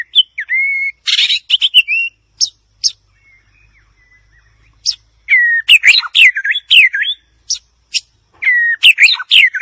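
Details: Varied song of a White-rumped shama: a drawn-out whistle and harsh chattering burst, scattered sharp clicks, then lively rising-and-falling whistled phrases mixed with crisp ticks.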